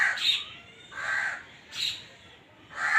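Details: Black francolin (Francolinus francolinus), call.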